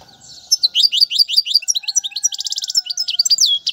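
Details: Royal European goldfinch singing for young birds to learn: a fast series of sharp falling twitters, then a bright buzzy trill and more varied chirps, delivered without pause, with a faint steady low tone beneath.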